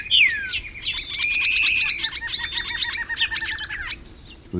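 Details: Greyish saltator song in Costa Rica, recorded in January or October 2021: a clear falling whistle, then a long steady whistle over a rapid, jumbled twittering lasting about three seconds, and a brief low thump at the end.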